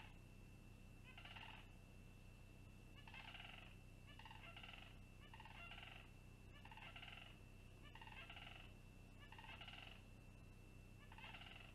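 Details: Long-eared owlet on a live nest camera on 26 June 2020, waiting for a parent to bring a meal. It gives short, squeaky, harmonic bursts, repeated roughly every one to one and a half seconds, over a steady high electronic tone and low hum.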